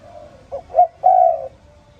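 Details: Spotted dove calling in the morning: a soft low coo phrase of three notes, two short hoots followed by a longer drawn-out coo, clear against a quiet background.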